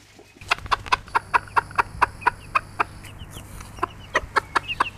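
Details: Pekin bantam, bobtail colour, a mother hen with her chicks: a rapid, steady run of short clucks, about four to five a second, with thin high chick peeps breaking in near the end.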